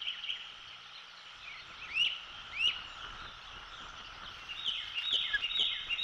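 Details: Osprey fledgling at a treetop nest overlooking Skidaway Island, Savannah, Georgia, on the morning of 16 June 2021, around fledging with its older sibling, gives thin, high whistled chirps: single rising notes, then a quicker squeaky burst, over steady hiss.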